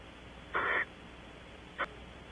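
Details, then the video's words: Barn owls at Audubon Starr Ranch, California, giving strange whistles: one harsh, breathy whistle lasting about a quarter second, then a brief second burst over a second later, against a steady low hum. "strange whistles - Audubon Starr Ranch Barn Owls"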